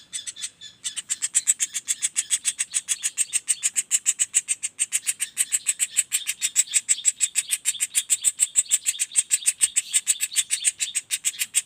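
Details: Young common flameback giving a non-stop rolling call: a steady, fast train of short, dry, high ticking notes, roughly three and a half per second, continuing evenly after a brief start.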